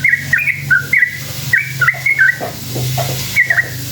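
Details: A sooty-headed bulbul delivers a lure song that prompts rival bulbuls to reply. It starts with fluting whistled couplets in quick bursts, then goes quiet for a moment before a final short phrase, all over a low background hum.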